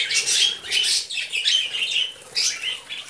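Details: Budgerigars eating vegetables, giving bursts of high scratchy chatter and squawky notes with short whistled tones, in clusters about every half second, pausing briefly before a final burst.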